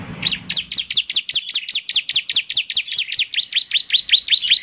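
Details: Bar-winged prinia singing a long unbroken series of high, sharp, rhythmic notes, about two to three per second, some with a whistled twist, over a quiet background.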